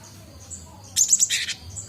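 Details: Cinereous tit, locally Gelatik Batu, learning to sing and just starting the ngombyok chatter; a short burst of sharp high chirps and a buzzy rattle in the middle, quiet before and after.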